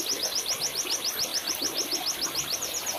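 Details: White-eye singing in a recording used to coax captive birds into song: evenly repeated, high, thin downslurred notes, about five per second, over a constant hiss.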